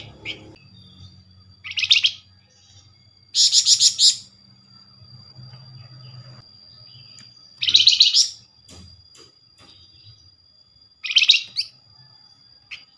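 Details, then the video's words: Quick-response lure for Flamboyan birds: four harsh, buzzy, rattling bursts, each under a second, spaced roughly three seconds apart, with faint low hum and quiet gaps between. "Flamboyan call nyerecet pancingan cepat paling direspon."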